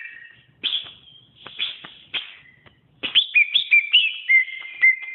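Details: Greater green leafbird song on a tutor recording: a few harsh, buzzy bursts in the first three seconds, then a quick series of clear whistled notes that descend in steps.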